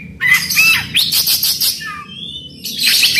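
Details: Oriental magpie-robin in full song, used as a lure to spur a silent bird into singing: harsh, buzzy rasping bursts alternate with short, high, bright whistled notes, with a brief lower sliding whistle midway.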